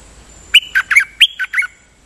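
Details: Nok Dok Taeng singing a brief decoy phrase: six quick chirps, loud and slightly squawky, some with a short tonal tail, delivered within about one second against soft background hiss.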